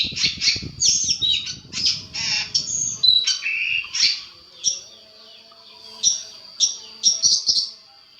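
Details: Long-tailed shrike master recording played to make stressed shrikes reply: rapid high chatter and whistles at first, then spaced sharp chirps repeated every half second or so.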